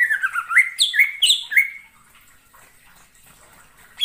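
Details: Greater green leafbird calling in the wild forest: a rapid cluster of warbled, jumping whistled notes for about one and a half seconds, followed by near silence and a final high note.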